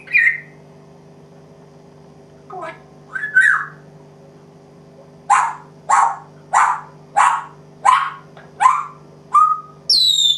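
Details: A pet African grey parrot gives a few whistled and gruff notes, then eight harsh, bark-like coughs, imitating coughing and barking, about two-thirds of a second apart over a steady low hum.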